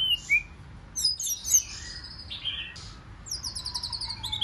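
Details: Wild-caught white-rumped shama giving a forest-voice competition song: clear high whistles, quick rising and falling slurs, then a rapid run of repeated sharp notes near the end.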